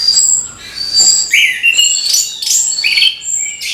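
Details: An orange-headed thrush gives rich morning song to encourage young birds to sing: loud, continuous mixed whistles, sharp slurred notes and bright high phrases following closely one after another.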